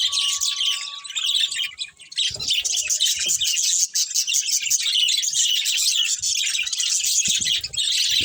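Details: Budgerigar colony including a breeding pair, nonstop high-pitched chirping and twittering from many birds, with a thin steady whistle early on.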